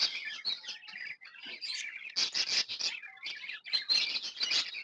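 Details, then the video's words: Happy budgies keeping up loud, bright chatter, clustered rapid chirps and raspy warbles in rhythmic bursts, high squeaky notes dominating throughout. "Happy budgies chirping sounds"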